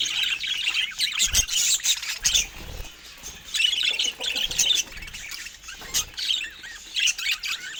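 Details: Group of rare budgerigars in a home setting, no speech or music; busy overlapping chirps and warbles, high and scratchy, with occasional soft bumps.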